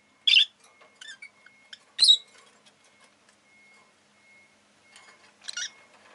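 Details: Rosy-faced lovebird giving three shrill, harsh chirps spaced about one and a half to three seconds apart, with faint softer twitters between them and a thin steady whine running underneath.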